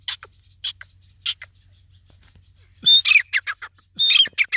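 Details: Grey francolin calling: a few short, harsh, high bursts spaced out at first, then a fast run of loud scratchy notes with brief whistled tones, repeated in two close series near the end; background otherwise quiet.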